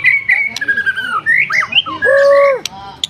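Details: An F4 white-rumped shama singing vigorously, delivering a fast run of varied whistles: steady high notes, slurred sweeps and twisting phrases, ending in a long, rich, arched note with overtones, punctuated by sharp clicks, against faint background noise.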